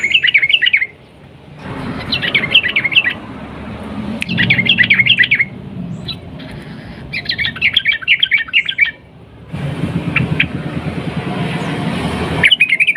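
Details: Yellow-vented bulbul singing in the lively 'ropel panjang' and 'nguklik' style, used to provoke other bulbuls; dense bubbly phrases repeated every few seconds, separated by quieter gaps with background hiss.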